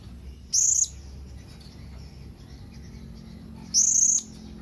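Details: Calling to companions, a Blue-crowned hanging parrot gives two sharp, shrill high notes about three seconds apart over a soft low background hum.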